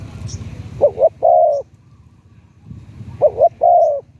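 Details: Spotted dove decoy, Thailand, with a medium-to-deep voice: two phrases, each a quick double coo followed by a longer sustained coo, with faint low rumble and a trace of voices between.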